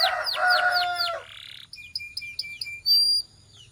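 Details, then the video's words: Belgian canary song meant to warm up males and stimulate females: a run of slurred, descending whistled notes repeated about four per second, then a brief buzzy note, then a series of high, clear whistled pips and a sustained piercing tone. "Corner to Warm Up Belgian Canaries and Fire Up Females"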